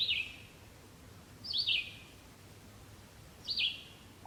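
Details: Red-eyed Vireo song with nicely slurred phrases: three high whistled phrases, each slurring several notes together, spaced about one and a half to two seconds apart over a low background hum.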